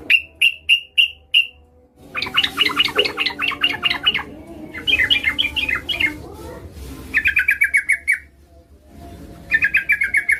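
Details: Female yellow-vented bulbul calling for a male gives sharp repeated chirps, then dense chattering runs of rapid notes, several fast rattles in a row, over a low background murmur.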